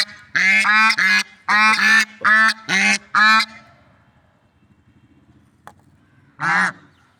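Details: A quick volley of six loud, nasal swan honks is followed by a few seconds of near silence and then one final honk.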